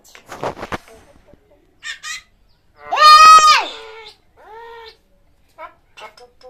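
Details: Common myna talking like a human: scattered clicks and short buzzy notes, then one long, strong, speech-like phrase, followed by a softer falling syllable and a few faint chirps.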